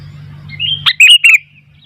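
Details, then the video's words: Sooty-headed bulbul singing while wild bulbuls respond: a thin rising whistle leads into a quick cluster of three loud, liquid chirped notes, with a faint low hum in the background. "Burung kutilang gacor ..sampai kutilang liar jadi ramai"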